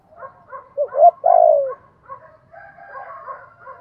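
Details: Spotted dove singing the hạp bổi voice, with calling, urging and cooing: two short low coos lead into a drawn-out descending coo. Softer overlapping bird calls continue throughout.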